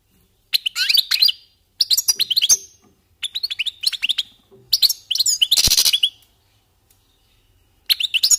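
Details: European goldfinches warming up their song: bursts of bright, tinkling twitters and metallic chirps in clusters about a second long, separated by short silences, one burst harsher and scratchier.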